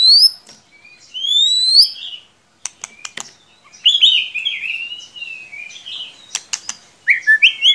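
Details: White-rumped shama singing as a lure for a quiet young shama: long rising whistles, sharp clicks, then a loud fluty warbling phrase and short high notes.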